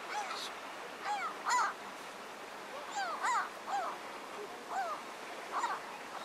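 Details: Mediterranean gulls in the Ebro Delta, Spain, in August 2015 give nasal, mewing calls that rise and fall, several birds overlapping about every second or two over a steady background hiss.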